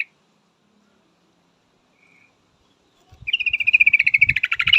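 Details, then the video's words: Female yellow-vented bulbul calling a male: a long, fast, slightly falling chatter of many sharp notes, growing louder, over low thumping noises. "suara trucukan betina full memanggil jantan pasti langsung pada nyaut"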